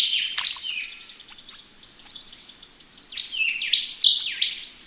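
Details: Australian ring-necked parrots washing in a pond call in short high chirps, a loud burst at the start, then a lull of soft ticks before a fresh run of squeaky notes.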